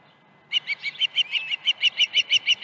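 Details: Osprey at a ranch nest in August 2019, morning with two fish deliveries; an abrupt onset of evenly spaced, high piping chirps, about six each second, continuing strongly to the end.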